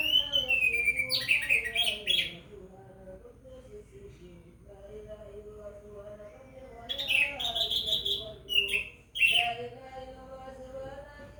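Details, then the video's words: Orange-headed thrush singing in response to the call to prayer or Quran recitation: loud whistled, tumbling phrases in two bursts, over steady melodic chanting heard throughout. "Anis merah sholeh..asal demgar suara adzan atau orang mengaji langsung gacor"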